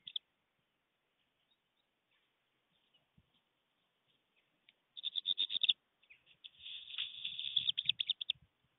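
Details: Black redstart in flight, singing by a stork nest at Fohrde on 24 September 2020: a brief high note, near silence, then fast bursts of high, scratchy notes running together for about three seconds, ending with scattered clicks.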